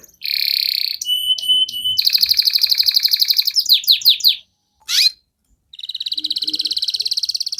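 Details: Canary song for provoking other canaries: a quick sequence of varied phrases, a buzzy note, pure whistled tones, a fast trill and slurred chips, a pause, a single sweep, then another rapid trill.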